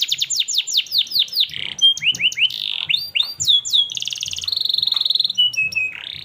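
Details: Domestic canary used as a tutor for young birds, delivering a rich varied song: rapid series of falling swept notes, a sharp whistle, then quick buzzy trills and a steady rattling phrase, all high-pitched and nonstop.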